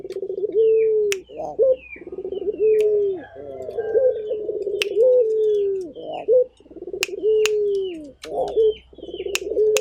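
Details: Local Barbary dove calling persistently: loud, throaty rolling coos repeated about every two seconds, each ending in a short upturned note, with sharp clicks and faint chirping birds behind.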